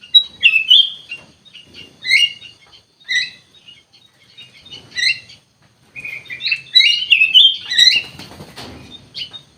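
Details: Ruby-throated bulbul, called kutilang emas, singing actively as a songbird: bursts of bright, slurred whistled phrases with chattering notes, in short clusters separated by pauses, with a faint rustling patter near the end.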